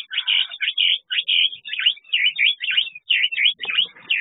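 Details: Chestnut-flanked white-eye kept in an aviary, giving a fast run of thin, high chirps and twittering notes, about a dozen in four seconds, with short gaps between them and little else audible.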